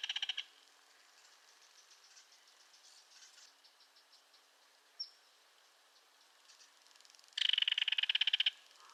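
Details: Belted kingfisher giving its dry, harsh rattle: a brief burst at the start, then a long quiet gap with faint ticking and one sharp click, then a loud, rapid clattering rattle lasting about one second near the end.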